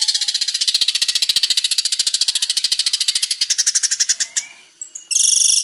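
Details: Long-tailed shrike, a male in varied song: a very fast, continuous harsh rattle that slowly fades, then a sudden short burst of shrill, high chatter.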